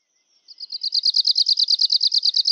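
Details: Arctic warbler (Phylloscopus borealis) singing a dry, rapid trill of about twenty buzzy notes, starting after a brief thin lead-in and holding steady on one high pitch to the end.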